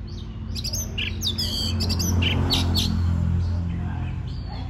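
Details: Song of a white-rumped shama, used to prompt other birds to sing: rapid sharp chirps and buzzy notes early on, then softer scattered calls, with a loud low droning hum throughout.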